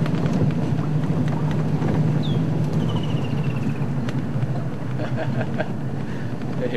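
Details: On a sunset game drive, a Woodland Kingfisher gives a sharp high note, then a fast, slightly falling trill lasting about a second, heard over a steady rumbling vehicle engine and a man's voice.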